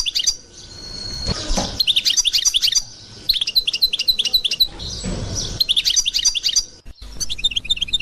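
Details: European goldfinch of the authentic Constantine song style delivering bursts of quick, liquid twitters and tinkling notes, broken by short loud rustling or handling noises between phrases.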